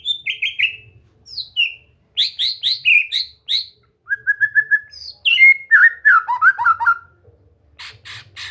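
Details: White-rumped shama in relaxed practice singing to prompt a bird to sing and be gacor; busy bursts of high sharp notes, steady mid whistles, a descending tumbling phrase, and final harsh high buzzes.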